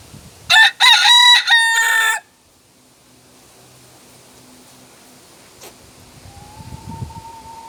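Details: North Holland Blue rooster gives one loud, harsh crow in several rasping segments lasting under two seconds, followed by near quiet with faint background noise.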